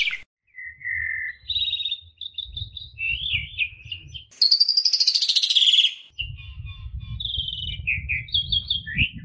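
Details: Asian pied starling master song for young birds: a varied run of clear whistles and warbled slurs, then a loud harsh buzzy rattle lasting about two seconds, followed by more whistles over a low rumbling background.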